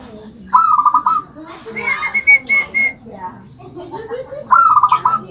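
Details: Caged zebra dove in a homemade cage fashioned from a rice container, repeating a bright, fast-pulsed cooing trill twice about four seconds apart. Sustained higher whistled notes and faint voices fill the gap.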